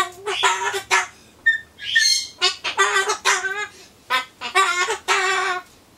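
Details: A Ducorps's cockatoo (Solomons corella) chatters to itself while waiting for pumpkin, in short bursts of speech-like syllables and squawky notes: replies, a mock song (Happy Birthday), "Atom" and "banzai", with brief pauses between phrases.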